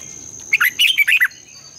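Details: Morning song of a red-whiskered bulbul, long twisting double-voice style used to train and stimulate other bulbuls: a rapid phrase of about six loud, liquid notes rising and falling, over a thin steady high background tone.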